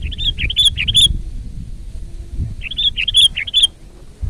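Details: Sooty-headed bulbul song, loud and lively, for luring and tutoring birds: two similar phrases of bubbly, liquid notes ending in a bright whistled slur, the pattern repeated after a pause, with low background murmur.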